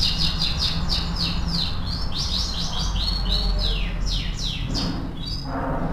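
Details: Canary (kenari AF) singing a training song for other birds: a series of quick, high, downslurred chirps in uneven bursts over a steady low hum, fading out near the end.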